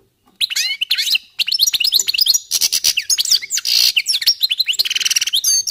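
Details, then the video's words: Goldfinches warming up in almost unbroken twittering song, mixing high slurred whistles, crisp chirps and harsh buzzy passages. "jilgueros calentando motores"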